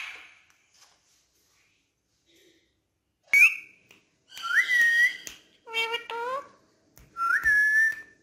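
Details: Urdu-speaking pet parrot indoors: a sharp click, then whistled, rising and falling syllables and harmonic speech-like notes in quick bursts, ending with a clear sustained whistle.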